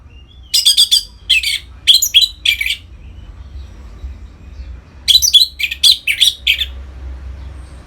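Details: Orange-headed thrush in gacor ngeplong song meant to bring captive birds into breeding mood: choppy clusters of sharp, high chirps in two groups, about five notes each, with a quiet gap between.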